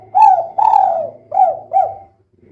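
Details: Female spotted dove, 'kuk 2' call, used as a lure to make birds sing: four mellow coos, a falling one, a long drawn one and two short bowed ones, over a faint low hum.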